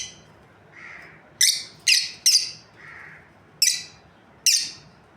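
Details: Breeding pair of lovebirds with loud, grating high chirps, a quick cluster of three followed by two more spaced calls, plus softer lower squeaks in between.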